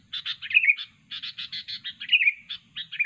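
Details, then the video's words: A sooty-headed bulbul, used as a lure call, sings a fast, chattering run of bright notes broken by slurred whistled phrases every second or so, over a faint low hum. "kutilang super ganas dan gacor"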